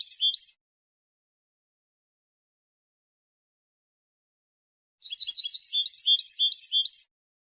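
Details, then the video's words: Goldfinch song, used to claim territory and win females: a short burst of twittering notes, a long silence of about four seconds, then two seconds of rapid, jangling, high warbles. "How to develop a distinctive vocal personality for your goldfinch"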